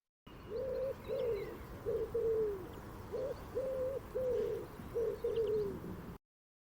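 A Woodpigeon gives soft, low, hooting coos in a steady rhythmic phrase of about ten notes, with faint chirps from other birds in the background.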